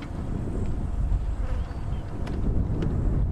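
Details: Low engine rumble and wind buffeting the microphone dominate on an afternoon safari drive, with no clear animal calls.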